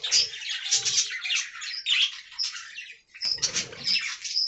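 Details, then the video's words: Budgerigars in an aviary colony producing rolling warbled chatter with sharp high whistles, a short lull near the third second, then a renewed burst of overlapping chirps. "Budgie Talking Compilation"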